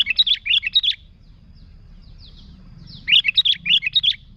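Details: Lively sooty-headed bulbul song for luring bulbuls: two quick phrases of four rolling, slurred chirps each, separated by about two seconds of near silence.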